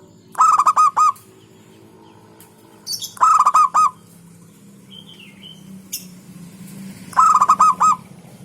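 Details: Local zebra dove delivering strong, classy song bursts. Three loud stuttering phrases of rolled notes come about three seconds apart over a steady low hum.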